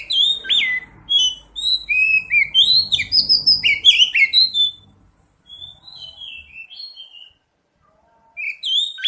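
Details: Oriental magpie-robin singing in a lure recording for prompting song: a long run of varied whistles and rapid chirps over faint low rumble, then softer whistled notes and a brief final phrase.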